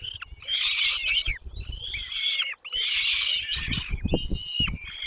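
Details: Chicks being fed by both parents at the nest produce two long, intense, harsh and high squealing bursts with wavering whistled tails. Steady low rumbles and knocking run beneath throughout.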